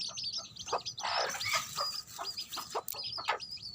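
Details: Mother hen with her baby chicks: a steady stream of high, thin peeps from the chicks, mixed with low, soft clucks from the hen and a faint background hiss.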